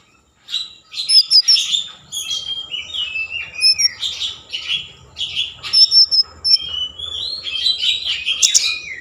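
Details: Energetic common iora song meant to arouse breeding mood and draw other ioras into singing: a continuous run of varied high whistles, chirps and chattering phrases, each note shifting in pitch, with hardly any pause.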